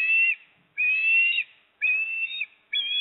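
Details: At a Port Lincoln osprey nest on 26 September 2024, with the male arriving carrying a fish and the female feeding, four drawn-out, steady whistles follow one another about once a second, each with a fainter overtone.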